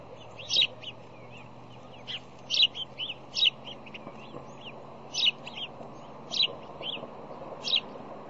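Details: Bald eagle at a nest cam, Fish Hatchery, Decorah, Iowa, morning of 1 February 2010, during visits with bowl digging and wing slams; sharp, high squeaky chirps in short clustered bursts every second or two, over a steady low hum.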